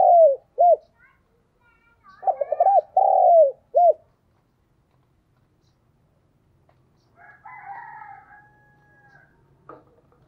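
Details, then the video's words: Spotted dove decoy calling to draw in wild doves: short bursts of deep hollow coos, several quick arched notes and a longer rolling coo in the first four seconds, then silence and a faint higher, drawn-out whistled sound near the end. "Chim cu gáy mồi chuẩn thúc & gáy gọi kích bổi nhanh nổi hiệu quả"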